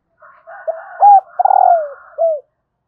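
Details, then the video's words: Female spotted dove cooing to stimulate males. One phrase: soft lead-in notes, a loud arched coo, a buzzy stuttering trill that slides down, then a closing short coo. A faint, harsher drawn-out call sits underneath. "Tiếng cu mái kích trống"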